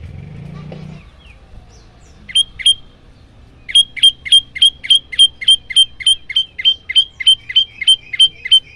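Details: Prenjak lumut prinia in loud 'tembakan' variation for training young or silent ciang ciang birds: after a brief low rumble, two sharp chirps, then a long rapid train of about seventeen identical piercing notes, roughly three per second.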